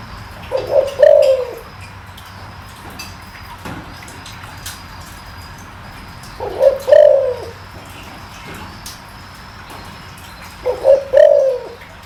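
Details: Deep-voiced spotted dove cooing to rouse freshly caught birds. Three low, soft phrases, each a brief lead note and a fuller rolling coo, spaced roughly five seconds apart over light background ticks.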